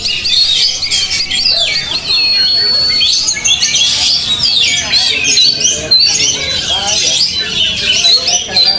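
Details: Oriental magpie-robin taken out to a field to train its nerve, delivering a rapid mix of clear high whistles, including a long steady note, and scratchy twittering, amid a dense background of other birds singing.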